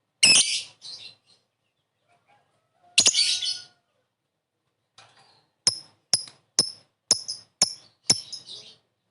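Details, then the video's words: Lovebird calling to lure a fast response: two harsh buzzy squawks, then a quick run of thin sharp high chips repeated about twice a second, quiet background. "Suara burung Lovebird memanggil di sertai ngetik ngekek pancingan labet cepat respon"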